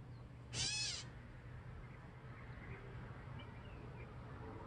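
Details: A gray catbird calling at a feeder gives one harsh, nasal, cat-like mew lasting about half a second. A low steady hum and a few faint chirps follow.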